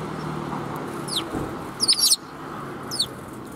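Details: Several sparrows greeting along the way out, 16 April 2021: a few short, high chirps, a brief cluster of them in the middle, over steady low rumbling background noise.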